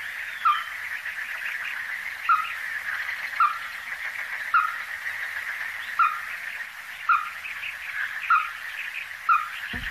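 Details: Ruddy-breasted crake by the Donggang River, Taiwan, 14 December 2023, from the resident Taiwan endemic subspecies: short, sharp single notes repeated about every second, over a steady murmuring chorus of other calls and a high insect hum.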